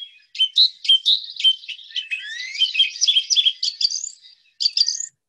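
Song thrush singing loud, clear, high phrases, each short note repeated several times before switching to a new one; no other sounds.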